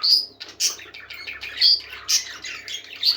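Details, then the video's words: Close, loud parakeet song of piercing high squeaks alternating with chattering, buzzy warbles, in bursts roughly every half second, sung by happy birds. "Happy Parakeets Singing"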